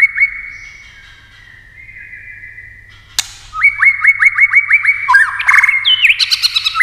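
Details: A white-rumped shama sings competitively with varied voices. A drawn-out steady whistle comes first, then a sharp click and a quick series of rising whistled notes, ending in loud looping, warbling phrases.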